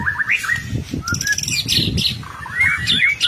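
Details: White-rumped shama singing energetically, a kept songbird used as a master recording to prompt other shamas to respond; varied whistled phrases, slurred notes and sharp high chips, with a low rumbling background hum throughout.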